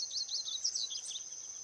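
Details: Wild rusty-collared seedeater singing a rapid high twittering run of short slurred notes, with a steady thin high-pitched tone running underneath throughout.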